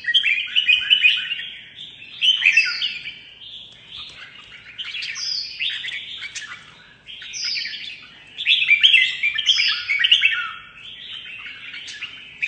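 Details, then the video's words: Red-whiskered bulbul, a mutant bird, in competitive singing; lively warbled phrases with sharp high whistles come in two loud bouts separated by a quieter, softer passage. "Chào Mào Đột Biến Hót Đấu Cực Hay"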